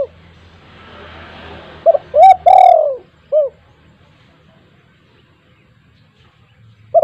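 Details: Spotted dove at a house whose call makes silent doves start calling: one phrase of two short coos, a long drawn coo and a short final note, then quiet before another coo begins.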